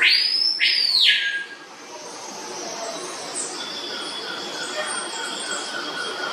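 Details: Swallow tanager (Tersina viridis) at San Diego Zoo gives two loud, sharp, harsh downslurred notes; a male and a female there were processing food in throat-pouches, likely for chicks. Thin steady high tones from other birds or insects continue behind.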